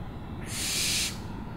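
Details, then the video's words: Owl uttering a drawn-out hissing screech of over half a second, rough and breathy throughout, with low background rumble before and after. "OWLS SOUNDS"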